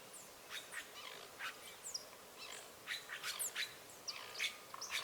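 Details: Azure jay, a free-living bird fed at a rural smallholding, giving harsh, broadband calls in short bursts across five seconds, with thin high chirps scattered among them.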